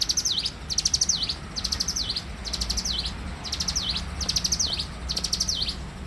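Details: Morning song of a bar-winged prinia, lively and persistent: seven high, rapid phrases of stuttered chips, each closing with a swooping V-shaped note, repeated steadily with short gaps; soft low rumble underneath.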